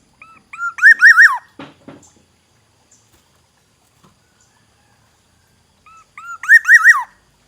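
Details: Song of a Black-naped oriole from Aceh: a whistled rolling phrase of looping notes, a few dry clicks just after it, then silence before the same liquid phrase returns about five seconds later.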